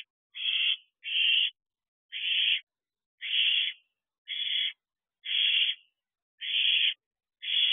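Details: Young owl inside its nest box after midnight in late June 2023, at the time food is delivered, giving eight rasping, breathy hisses, each about half a second long, spaced roughly one per second, with silence between them.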